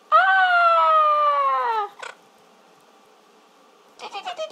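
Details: A pet male yellow-collared macaw, playing with its owner at Christmas, gives one long, nasal, slightly falling whine of nearly two seconds, then a click and a few short, broken sounds.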